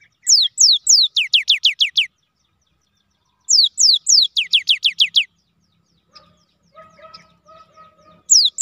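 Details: Kept cinereous tit (gelatik batu) singing long wucit-wucit phrases: repeated runs of thin, steeply falling whistles, slow at first then quickening, with a faint lower chirping from another bird heard in a gap.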